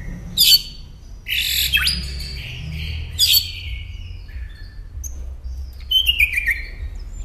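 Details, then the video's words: A Northern mockingbird sings varied, high chirping and whistled phrases, repeating some phrases a few seconds apart, over a low background hum. "Masteran Pintar Burung Kicau Northern Mockingbird"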